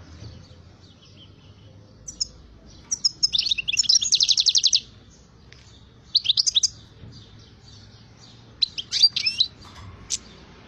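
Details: European goldfinch singing vigorously: bursts of high, tinkling, buzzy twitters and rapid chattering phrases separated by short pauses, over a quiet low background hum.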